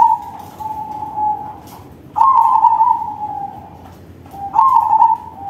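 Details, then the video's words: Crossbred zebra dove delivering a loud song: long, level cooing notes, each beginning with a quick rippling trill and drawn out for over a second, three phrases in sequence. "Perkutut crossing manggung suara besar || Suara perkutut crossing"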